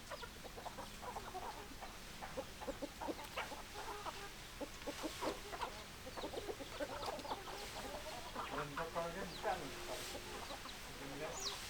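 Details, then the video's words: Hens keep up continuous, overlapping clucking, dense bursts of short notes from a crowd of chickens against constant background hiss. "Chicken Sounds Noises Hens Clucking Roosters Crowing"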